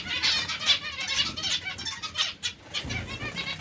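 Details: Zebra finch, white variety, in company with society finches: a dense chatter of high, nasal, harmonic-rich beeps that repeat quickly and overlap, with a brief low thud near the end.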